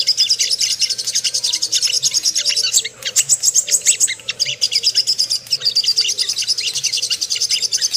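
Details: Provocation lure of Ruby-cheeked sunbird singing: a steady stream of very high, buzzy-edged twitters delivered at a rapid clip, with two brief breaks around the third and fifth seconds.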